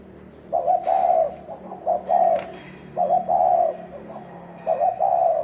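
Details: Spotted dove uttering thổ đồng cooing to goad males into fighting: mellow, even-pitched coos grouped in short and long notes, three phrases in quick succession, with a couple of faint clicks and a low background hum.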